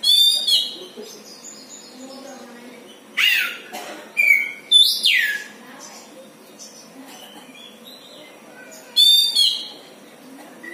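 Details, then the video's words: {'caption': 'Strange sounds from a pet Oriental magpie-robin kept at home: scattered high buzzy bursts and a loud falling swoop, with quiet gaps between notes and soft background noise.'} "KACER NGELUARIN SUARA ANEH"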